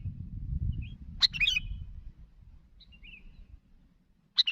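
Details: Sooty-headed bulbul calling to others, described as lively. Two bursts of sharp chirps with short warbled notes between them, separated by long quiet gaps. A low rumble is heard at the start.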